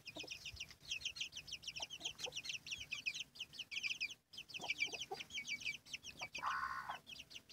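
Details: A chorus of many chicks with their hen. Rapid, high cheeps slide downward and overlap almost without break. Occasional soft low clucks are heard, and a rougher, broader call rises near the end.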